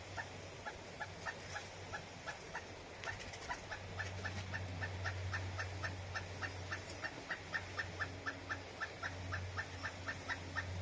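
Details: Pileated woodpecker in Palm Coast, Flagler County, Florida, seemingly complaining because no bugs were on its tree: a long, even run of loud clucking notes, about four per second, over a low steady hum.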